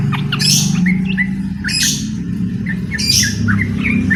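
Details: Yellow-vented bulbul in lively song, challenging a rival to a long song duel. Three bright, hissy bursts come about every 1.3 seconds, with short chirpy notes between them, over a steady low rumbling background.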